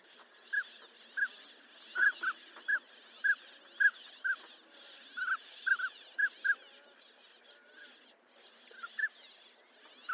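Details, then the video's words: Northern pintail calling steadily: a long series of short, piping whistled notes, roughly one or two per second, over a soft hiss of background noise. "SOUND OF A NORTHERN PINTAIL"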